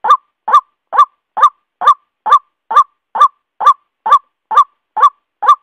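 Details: White-breasted waterhen male calling a female, a long regular chain of around thirteen loud, croaking upslurred notes at about two per second, the background otherwise quiet.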